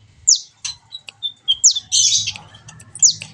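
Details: Sunbird known locally as kolibri ninja, recorded to train birds to sing: sharp high descending whistles spaced about half a second apart, mixed with a brief buzzy burst and soft low rumble behind.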